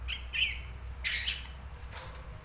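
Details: Kept long-tailed shrike producing a few scratchy, slightly rising chirps followed by a short harsh burst, then fading, with low background rumble throughout.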